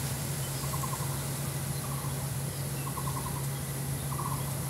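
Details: Female lesser coucal, identified by white spots on the neck, seen from a window on 26 June 2023 while raising its tail. Four short, rapid, stuttering bursts of pulsed notes are heard over a loud steady low hum and hiss.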